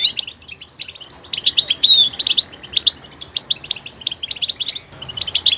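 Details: High-pitched goldfinch song: a jumble of quick chirps and a short liquid warble early, then steadily repeated sharp notes toward the end.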